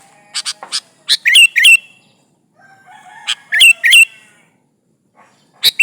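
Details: Sooty-headed bulbul singing vigorously to call rivals, used as a lure: short bursts of sharp clicks running into bright downslurred whistles, repeated every couple of seconds, with a soft steady tonal hum behind.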